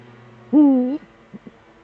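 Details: Eifel eagle-owl duet, male at the nest, recorded 13 December 2013 at 17:25: a single half-second harmonic hoot with a dipping middle, then two quiet short notes.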